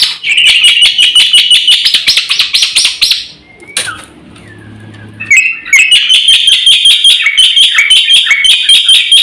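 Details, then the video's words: Black-winged myna song, full and rich, recorded to lure and train birds; fast high chattering notes, a quiet gap with a faint low rumble, then the dense rapid chatter resumes strongly. "SUARA BURUNG JALAK PUTIH GACOR FULL ISIAN JUARA HEBAT UNTUK PANCINGAN & MASTERAN"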